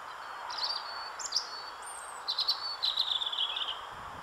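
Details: European robin song, added afterwards to the footage: high, thin whistled phrases with brief stuttering notes, then a longer slightly descending warble near the end, over a steady low background hiss.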